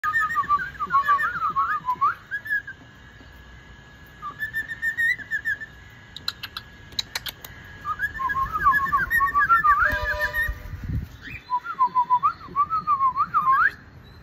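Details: A pet cockatiel whistles a warbling, looping tune in quick wavering phrases with short pauses between bursts, singing songs and repeating its owner's whistle.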